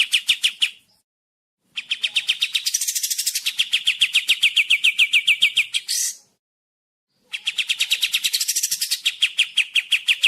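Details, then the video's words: Sooty-headed bulbul song in bursts: fast rhythmic chirps interrupted by high raspy passages and two gaps of silence, then the chirping resumes. "KAPAS TEMBAK SUARA ASLI SUPER JERNIH"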